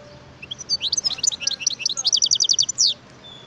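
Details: Wild European goldfinch in continuous song, a lively three-second stream of rapid, sparkling high twitters that ends with a longer downward-slurred note.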